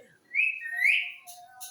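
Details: Green talking parrot giving a single clear high whistle that climbs in two steps and then slides down, with a faint steady low tone underneath.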